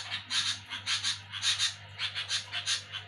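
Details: Sooty-headed bulbul calling noisily at night while people sleep: harsh, scratchy chattering bursts, about ten in three seconds, unevenly spaced, over a steady low electrical hum.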